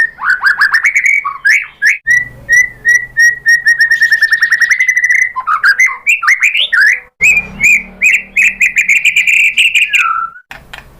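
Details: White-rumped shama singing as a lure for other birds: long rich whistled sequence with fast trilled stretches and rising slurs, broken by short pauses.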